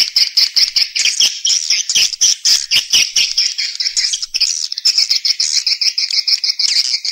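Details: Swiftlet lure sound for drawing birds into nesting houses: rapid, high, clicking chirps in a steady pulsing rhythm, a little denser and more overlapping midway through.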